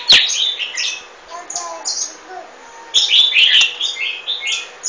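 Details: Bursts of high twittering and chirping from a golden-fronted leafbird, with quieter sweeping notes between the louder phrases.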